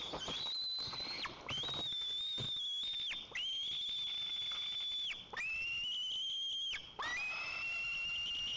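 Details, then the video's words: White-tailed eagle at its nest in Lower Kama National Park, Tatarstan, calling while waiting for the father to bring fish: long drawn-out high whistled squeals, each held over a second, repeated with short breaks. "Where is fish 🐟 dad ?"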